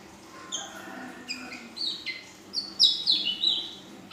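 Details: Ashy drongo, a young female, singing 'full isian': soft scattered chips, then a loud cluster of rapid, high, buzzy-edged whistles and slurs in the final seconds.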